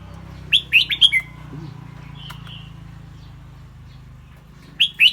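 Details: Clear-voiced caged red-whiskered bulbul singing between chattering calls: four quick bright chirps descending in a short phrase, a pause with a faint whistled note over a steady low hum, then a fresh burst of chirps.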